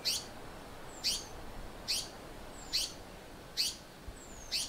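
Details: In South Africa, an African paradise flycatcher repeats a scratchy, buzzy rasp roughly every three-quarters of a second, while a faint falling whistle slides in between the notes against a low hiss.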